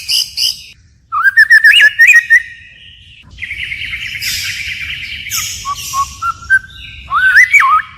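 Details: White-rumped shama singing forest-style song with continual voice changes; a rapid warbled rising phrase, then a buzzy noisy stretch, followed by clear whistled notes and a looping final flourish.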